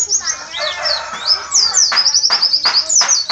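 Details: Oriental white-eye in a Javanese-style songbird performance, the shooting 'tembakan ziper' song joined to a sunbird-like 'kolibri muncang' phrase: thin, high chirps and sweeping whistled notes, then a rapid run of sharp repeated notes with soft broadband rustles.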